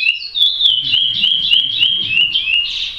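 A chestnut-bellied seed finch sings a rapid, clear warbling run of sweet whistled notes, sliding up and down, delivered without pause.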